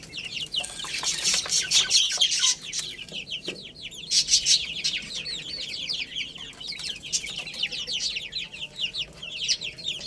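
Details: Numerous chicken chicks calling while playing and eating, a busy wash of high falling peeps swelling in loud bursts near the start and again midway, with occasional soft taps.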